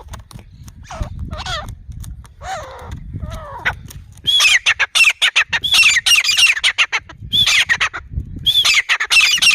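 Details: Several seconds of human talk give way to a grey francolin's loud, grating call, a fast chain of shrill repeated notes with brief gaps between bursts.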